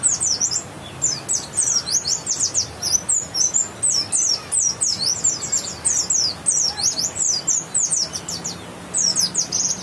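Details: West Javan white-eye, bukstoni type with a grey-white breast and yellow line, pouring out a nearly continuous stream of fast, very high chirping twitters in repeated bursts.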